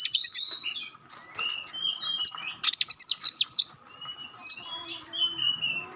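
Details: Magpie-robin singing sharp 'shot' notes and clear tones meant to make other magpie-robins respond: bright high bursts and descending whistles, then quieter whistled phrases, with a steady faint hum behind.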